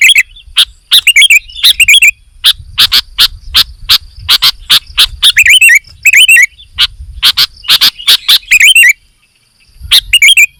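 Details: Sooty-headed bulbul: short warbling whistled phrases appear every second or two amid a steady series of loud, sharp clicking bursts, with a low rumble underneath and a brief silence near the end.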